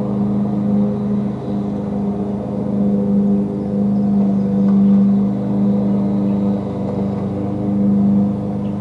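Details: Steady, loud engine-like hum with a low droning tone throughout and faint clicks, with no animal voice heard.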